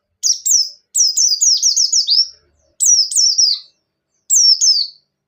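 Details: Breeding-condition buxtoni white-eye, ngecir song mixed with ngalas: a long tumbling string of high whistles, each sliding down, followed by shorter pairs of the same downslurred notes after brief pauses.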